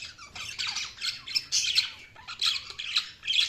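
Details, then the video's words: Several budgies chatter as they feed, giving scratchy, high squawks and short warbled notes in quick overlapping bursts, with brief dips between phrases. "budgies feeding | budgies chirping sound"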